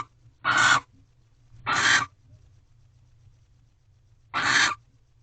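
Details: Barn owl in a nest box during a nighttime mating ritual, recorded at 1:13 am on 3/2/23: three harsh, broadband hissing screeches, each about a third of a second long, spaced unevenly over five seconds, with a low steady hum beneath.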